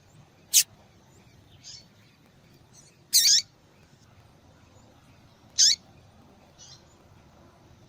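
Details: A female yellow-bellied seedeater calls to excite a cold male into singing. Brief, piercing high chips are spaced about two to three seconds apart, with faint softer notes in the gaps and no other clear sounds.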